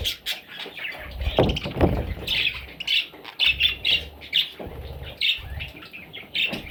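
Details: Parrot chicks calling in a quick, uneven series of high squeaky chirps, roughly two per second, over faint low rumbling and occasional knocks.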